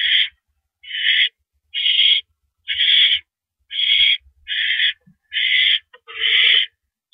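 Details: During a nighttime mouse delivery at an owl nest, April 5, 2012, 10:30 PM, eight raspy, noisy hisses follow one another about a second apart, fairly steady, with faint shuffling below.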